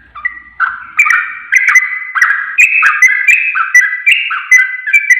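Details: Masteran song of the sooty-headed bulbul, meant for caged birds to copy: a quiet first note, then loud, cheerful whistled phrases that tumble up and down in a fast, irregular rhythm.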